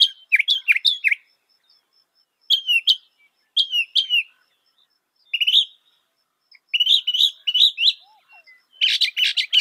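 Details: Northern mockingbird mimicking other birds, said to manage 200 sounds: mixed slurred whistles, sharp chirps and twittering bursts in separated phrases, ending in a dense scratchy burst, with a faint steady high tone behind.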